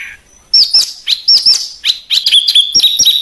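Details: Small songbird (burcil) with harsh 'besetan' song for training caged birds: after a faint start, loud high chirps rise and dip in quick succession, building into a dense, varied twittering string.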